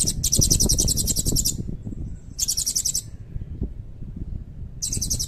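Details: Blue-crowned hanging parrot (serindit), red-breasted, singing in a lively 'gacor' style with a long 'cililin' filler, meant to tutor white-rumped shamas and Oriental magpie-robins: very high, rapid buzzy trills in bursts over a second long, separated by short pauses, over low rumbling background noise.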